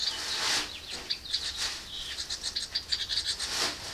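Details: Nestling house wrens in a birdbox begging as a parent brings food: dense, shrill, raspy high chatter in rapid overlapping bursts, swelling loudest around the middle and end.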